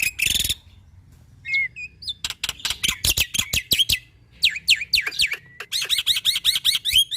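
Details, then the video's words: A black-winged myna sings actively to coax other mynas into song, mixing a harsh burst, short upslurred whistles and rapid dry clicks. It ends with a series of looping, rising whistled notes repeated quickly. "Pancingan Burung Jalak Putih Malas Bunyi - Jalak Putih Gacor Bikin Semua Jalak Bunyi"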